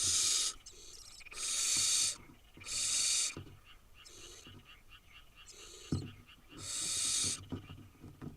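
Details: Wild barn owl nestlings, eight in an Israeli brood, overlap in a sequence of breathy hisses of varied length and loudness, some short, some nearly a second, with occasional knocks.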